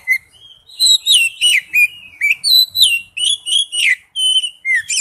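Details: An Oriental magpie-robin sings in the wild-type style, stringing together clear whistled notes and rapid warbled slurs about three to four per second, phrases rising and dipping, with a brief low thump midway.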